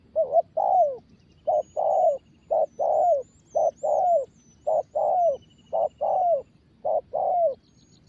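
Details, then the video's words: Spotted dove, a young bird being trained to coo daily, repeats short-long coo pairs steadily, about one pair a second, low and mellow with a falling tail, faint high chirping of other birds behind. "Tập bổi mới nổi gáy gù mỗi ngày hiệu quả.Chim cu gáy"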